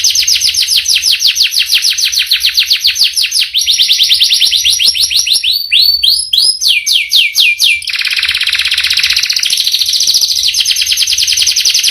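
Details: Canary delivering a long rolling song with varied phrases: rapid high trills, a run of separate downward-swooping whistles, then a sustained buzzy roll.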